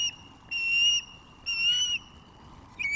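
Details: A female osprey at the Loch of the Lowes nest in May 2024 food-begs as her new mate learns to deliver fish. Drawn-out, high, slightly rising whistles last about half a second each, separated by short pauses.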